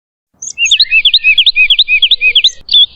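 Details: Melodious, persistent woodlark song used to tutor cage songbirds: a rolling chain of about a dozen V-shaped whistled notes, each sweeping down and back up, ending on a higher fluty note, over faint low background rumble.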